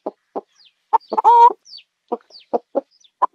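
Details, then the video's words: Chicken clucking in short low bursts, a few quick pulses spaced about half a second apart, broken by one longer, harsher drawn-out squawk midway; faint higher peeps in the background. "CHICKEN SOUND"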